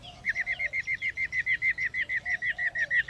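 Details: Female laughingthrush giving her rolling ro ro ro call to stimulate males to sing: a steady, rapid string of short chirped notes, about six per second, throughout.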